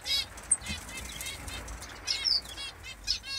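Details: High, thin chirps and brief buzzy trills of Senegal white-eyes come in scattered bursts over a steady low rumble of background noise.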